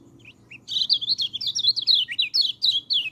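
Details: White-eye song used as a training recording for white-eyes that rarely sing: a fast, warbling run of high, twisting chirped notes, about three or four a second, after a short pause with two soft opening notes.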